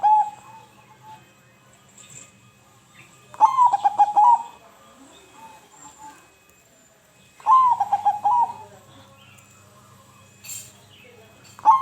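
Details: Zebra dove (perkutut) song meant to trigger silent birds: repeated coo phrases roughly every four seconds, each beginning with a rising note and staccato bubbling coos before a trailing note, plus a faint brief high sound.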